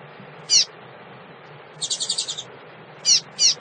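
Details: Female double-collared seedeater calling to stimulate males: sharp, high down-slurred chip notes, one then a later pair, with a brief fast buzzy rattle between them.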